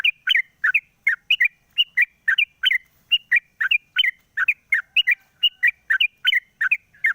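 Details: Sooty-headed bulbul kept in a cage, singing in the morning after its cover is lifted, recorded as a lure; a steady stream of clear paired chirps, dipping then rising, repeated about three times a second on a quiet background.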